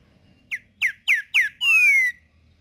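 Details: A green-winged saltator in the wild delivers the 'tempera viola' song: four short, clear whistles about a quarter second apart, then a long, loud whistle sliding steadily downward.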